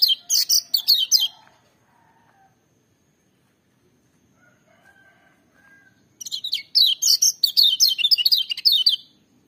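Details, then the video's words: Lemon-bellied white-eye singing loudly, with a full, ringing voice. Two bursts of rapid, high, chirpy notes that slide downward, about a second each, separated by roughly five seconds of near silence with faint low whistles. "Kecial Kuning joss gacor menggelegar tapi merdu"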